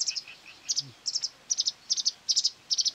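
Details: Marsh warbler lured to its own voice from a mobile phone hung near quarry workings on 9 May 2020, fiercely attacking it and trying to outsing it; high, sharp chirps in tight clusters of two or three, bursting roughly every 0.4 seconds.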